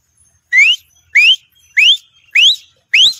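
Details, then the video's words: Grey francolin uttering five clear, evenly spaced upslurred whistles, about 0.6 seconds apart, each rising sharply and ending abruptly, with a quiet background. "teetar awaz || teetar voice || gray francolin || teetar ki awaaz"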